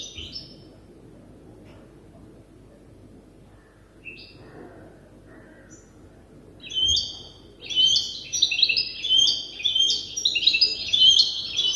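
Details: A young European goldfinch hybrid, still learning its song from an older hybrid, starts with a few scattered high chips, then breaks into a fast, rambling twitter of tinkling and buzzy notes over a faint low hum.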